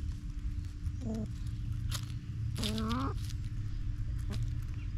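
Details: Backyard chickens making two low, slightly rising clucks, one short and one longer and drawn out, over a steady low hum with scattered clicks and scratching.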